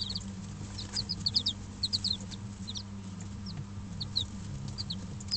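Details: A brooder of young Dutch bantam and Barbu d'Anvers chicks, five days old, kept warm by an electric hen; sparse high peeps in small clusters, quieter than the loud low buzzing hum that fills the background.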